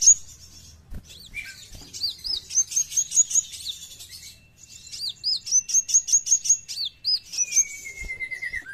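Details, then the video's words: Brown-throated sunbird (kowul), singing gacor in full besetan style: rapid series of high, sharp whistled notes with upslurred and hooked elements, in bursts with brief pauses, plus a long descending thin whistle near the end. "KOWUL GACOR FULL BESETAN"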